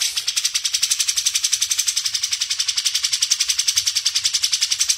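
Grey-cheeked Bulbul in a fast, steady run of high, harsh, buzzy chattering notes, several per second, with nothing else heard.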